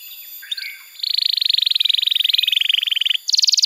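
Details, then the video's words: Canary song used to stimulate silent canaries and teach young ones: after soft low notes, a long, even, buzzy trill of rapid pulses, then a higher trill begins. "Masteran Kenari PAUD & Pancingan Kenari MACET BUNYI‼️"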